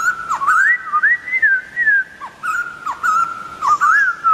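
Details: Wild White-crested Laughingthrush delivering a near-continuous run of rich whistled notes, rising slurs and wavering tones strung together almost without pause, with occasional short dipping notes.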